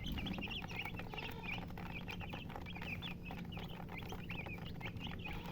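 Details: Chicken chirps, sharp and high, pouring out in dense repeated bursts over a low steady hum, with several birds calling at once.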